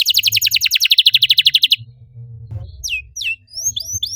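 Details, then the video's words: Canary singing as a lure for other canaries: a rapid, rolling trill of short notes lasting nearly two seconds, then a pause with low background rumble before a few scattered sweeping whistles. "PANCINGAN EFEKTIF BURUNG KENARI, CORR DORRR!!"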